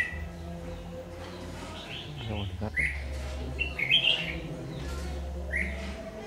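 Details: Red-whiskered bulbul, 'má lỡ' type with a very fierce voice, heard during trapping with a decoy on 22 August 2019. Bright chirpy warbles are spread over several seconds, with a brief rattling noise and a low droning hum.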